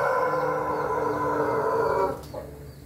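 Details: Red-combed Ayam Ketawa rooster crowing on 20 May 2024. A strong, steady harmonic crow holds for about two seconds, then drops off suddenly, followed by a short faint note and low background hum.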